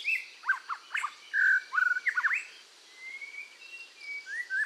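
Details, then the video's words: Red-whiskered bulbul singing strongly during voice training to get it fired up: chirpy slurred notes and a few longer whistled phrases, followed by soft drawn-out whistles. "tiếng chim chèo lửa hót căng luyện giọng kích lửa"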